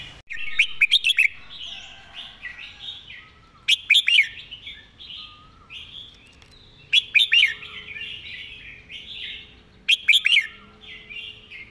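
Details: Red-whiskered bulbul repeating its model song with quick delivery. Loud phrases of several sharp, clipped whistles come roughly every three seconds over a steady bed of soft, continuous warbling.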